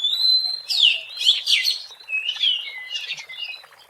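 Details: Wild Oriental magpie-robin song used for luring birds: a long steady whistle opens, followed by sweeping downslurred notes and rich warbled phrases that fade toward the end.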